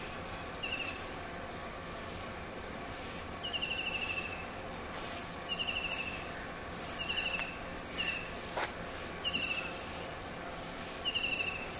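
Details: Kingfisher singing: short, sharp, high chirps in quick trilled bursts, each burst repeated about every one to two seconds, over a steady hiss of background noise.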